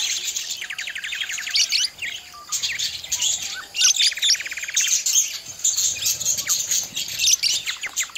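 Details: Budgerigars warbling: buzzy, harmonic rasping notes alternate with sharp high chirps and squeaks in a continuous, busy chatter, with brief quieter gaps between bursts.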